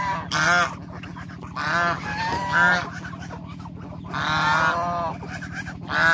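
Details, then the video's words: Ducks out on the water: hoarse, strongly harmonic quacks sound in loud bursts roughly every one to two seconds, with a steady low drone underneath. "Duck Nature Voice"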